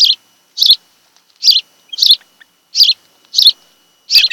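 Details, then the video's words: Osprey at a nest on Kent Island, Maryland, filmed by nest webcam on an afternoon in late July 2018: sharp, high whistled chirps given singly at uneven intervals, about seven in four seconds, with no other sounds. "Osprey Nest"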